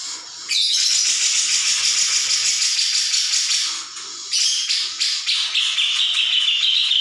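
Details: Grey-cheeked bulbul used as a training recording to draw responses from other birds: a continuous loud, scratchy chatter of rapid high notes that ends in a drawn-out whistled phrase.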